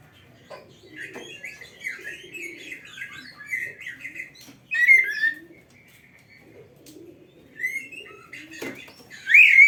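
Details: Oriental magpie-robin used as a model singer for training other birds: a busy, varied run of chattering and warbled notes, then short pauses and two loud, sharp whistled phrases near the middle and the end.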